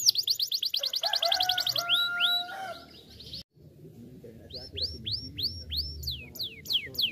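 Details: Canary lure song for prompting other canaries: a quick high trill with lower flat tones, a brief silence, then a slower run of rising and falling whistled sweeps.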